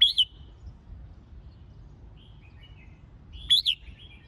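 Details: Red-whiskered bulbul singing, used to train competition birds and draw out their full voice: two brief, wavering whistled notes about three and a half seconds apart, with quiet hum between.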